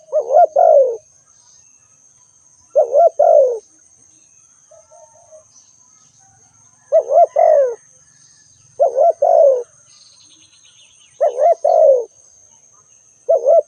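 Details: Calling spotted dove repeating its hoarse coo-croo phrase six times, roughly every two seconds, each a short warbling coo and a longer falling note, with a few soft bird notes and a steady high whine in the background.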